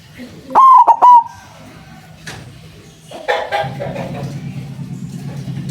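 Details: Loud white zebra dove, used as a trapping lure, gives a single burst of three rounded coos near the start. Then quiet follows, and later a low rumbling hum and scattered noises.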